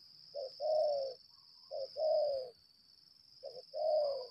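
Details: Spotted dove used as a lambung kuk-style decoy bird, calling in a fighting display: two-part coos, a short note then a longer falling one, repeated three times, over a steady high insect-like whine.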